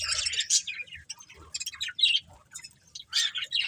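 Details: A breeding pair of colourful budgerigars gives scattered bursts of short, high chirps and squeaky notes, separated by brief quiet gaps.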